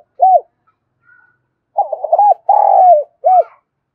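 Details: Spotted dove cooing, kept for song: a short arched coo, a pause, then a quick run of rolling coos, a long sustained slurred coo and a final arched coo, all low and mellow.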